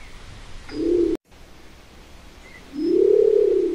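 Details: Nicobar pigeon uttering low, husky cooing notes, a short one broken off by a brief cut, then a longer, slightly rising and falling moan lasting about a second, with soft background hiss.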